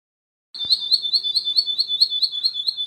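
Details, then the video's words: Russian canary singing a steady high whistled trill, evenly pulsed about four times a second, starting after half a second of silence with a click. "russian canary"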